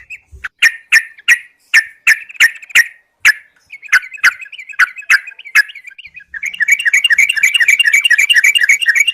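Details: Yellow-vented bulbul lure sound challenging rivals: a series of sharp, separate clipped notes about every half second, a soft twitter, then a dense rapid bubbling chatter.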